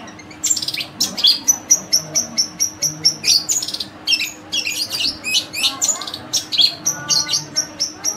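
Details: Tame kept long-tailed shrike, once a very active singer and now less so through poor care, delivering a full mimicked song: dense, rapid run of sharp high chirps and short whistles, about two notes a second, varied and without pause.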